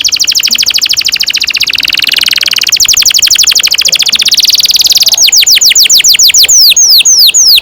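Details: Long rolling canary song meant to train young canaries to sing: a fast, even trill of sharp high notes that shifts into slower, sweeping whistled slurs repeated near the end.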